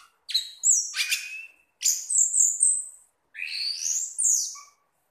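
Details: Orange-headed thrush, called punglor or anis merah, a caged pet bird singing calmly: three bursts of harsh, high scratchy notes with sweeping rising and falling whistled elements, pauses between bursts.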